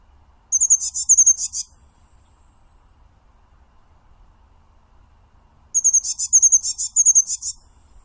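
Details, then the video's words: Two separate song phrases from a Eurasian blue tit about five seconds apart, each a few sharp high whistles followed by fast buzzy trills, with near silence in between. "Пение птиц / Лазоревка прекрасна и удивительна"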